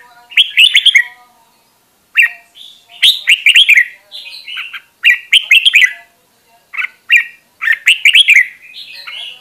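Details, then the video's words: Voice-training recording of a red-whiskered bulbul in top form: short bursts of chattering, liquid warbles separated by one- to two-second pauses, each phrase ending in a slurred whistle. "Luyện Giọng Chào Mào Mồi - Chào Mào Giàn Đạt Căng Lửa"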